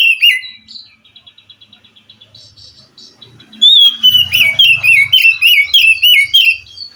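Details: Wild forest Oriental magpie-robin singing, said to answer and stir a captive bird reluctant to sing; bright whistled notes, then a run of rapid soft repeated chips, then a loud sequence of falling, slurred whistles.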